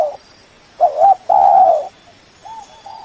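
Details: Spotted dove giving a rival-calling lure: a pair of soft coos, then one long, loud, steady coo, followed by quieter trailing coos.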